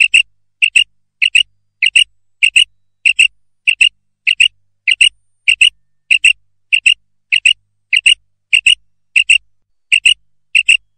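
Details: Female common quail voice, used to lure quail for catching: around eighteen sharp double notes in an unbroken, metronomic series, each pair clipped and high, no other sounds present.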